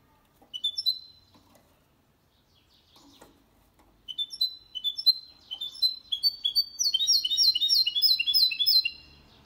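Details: Song of a goldfinch and canary hybrid, sung clean for spurring males to sing and for chicks to memorize: a few sharp rising chirps, a pause, then quickening twittering notes building into a rapid repeated warbling series.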